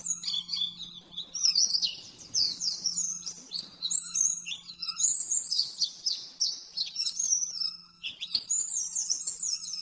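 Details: High, fast twittering phrases from an oriental white-eye master recording in the 'nembak-nembak' style for training caged birds, rippling and slurred with brief gaps. A steady faint hum sits underneath.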